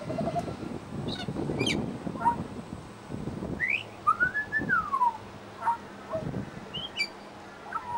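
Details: Suburban Brisbane Pied Butcherbird mimicking local sounds: sharp upward sweeps, then a long slurred whistle rising and sliding down, with scattered brief chirps and background rumble.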